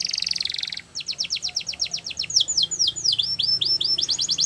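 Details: Belgian canary song opening with a dense buzzy trill, then a steady string of crisp downward whistles and V-shaped slurred notes, high-pitched and rhythmic.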